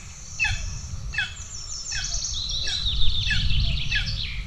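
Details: Hungry golden eagle chicks at a nest in Estonia, 2 June 2024, the elder chick aggressive toward the younger: thin high downslurred squeals repeated in quick irregular bursts, growing denser toward the end, over low rumbling background noise.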